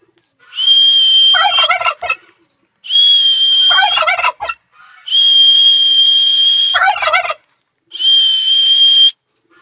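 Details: Repeated turkey gobbles, rattling and bubbling, answering long, loud, level high whistles; four whistles in under ten seconds, three of them followed by a gobble burst.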